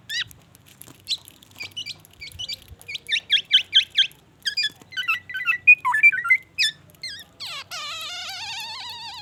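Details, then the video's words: Black-naped oriole delivering a varied mimicry song with imitated white-rumped shama phrases: quick trills of slurred whistles, then a run of rapid chirps and a long wavering nasal note at the end. "SUARA BURUNG KEPODANG EMAS GACOR BONGKAR ISIAN MURAI BATU"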